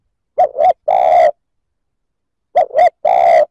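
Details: Spotted dove cooing to provoke other males: low, hollow coo phrases of two short notes followed by a longer drawn-out note, the phrase given twice about two seconds apart.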